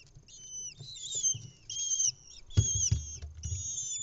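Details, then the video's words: Lesser kestrel nestlings in Israel, 6 May 2021, calling while the mother feeds them an insect: shrill, drawn-out wavering squeals in overlapping bursts, with thumps and rustling from the nest. "Mom brings and insect for her babies in the LIVE Lesser kestrel Cam Israel"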